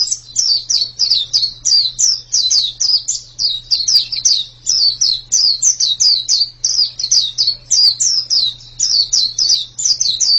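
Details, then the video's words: Long unbroken run of bright, high, downslurred notes from a white-eye, fast and regular, with a constant faint low hum behind. "Ini pasti pleci yang sangat super itu kicaunya"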